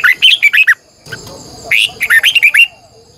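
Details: Red-whiskered bulbul singing in the morning as a lure bird, a long twisted double-voiced song used to train and stir other bulbuls: two bursts of loud, clear warbled whistled notes, about eight quick syllables each, separated by a quiet pause.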